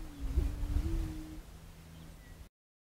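A greater prairie chicken gives a low, hollow, steady hoot that holds its pitch for over a second, then sinks lower, over a soft rumble.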